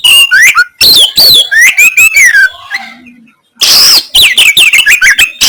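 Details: Kacer, the Oriental magpie-robin, delivering rough 'kasaran' song: fast mix of sliding whistles, rising and falling notes and harsh noisy bursts, a short quiet gap midway with a faint low hum, then renewed rapid phrases.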